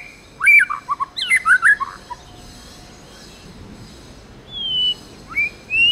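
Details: Tame White-rumped shama singing in the forest-voice style: a burst of varied, tumbling whistled notes, a pause, then drawn-out rising whistles.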